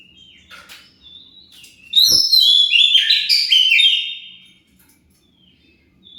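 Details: Oriental magpie-robin lure song: soft scattered notes, then a loud two-second outburst of rich, tumbling whistles and slurred phrases, falling quiet before a faint final note.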